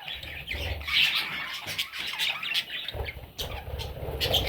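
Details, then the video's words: Parrot chicks calling together, a dense stream of harsh, raspy squawks and chirps overlapping continuously, with low thumping handling noises underneath. "Parrot Chicks"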